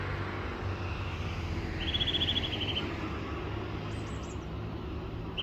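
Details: Eurasian nuthatch (Sitta europaea) song: one quick trill of about eight clear, even whistled notes, with a couple of faint high fragments, over a steady rumble of traffic.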